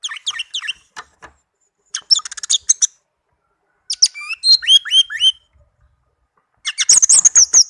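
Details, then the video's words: A tame kept orange-headed thrush sings a lively varied sequence: high chirps, fast stuttering trills, and a run of repeated downslurred whistles, ending in a dense high twitter. "Anis merah kicau merdu, teler abis"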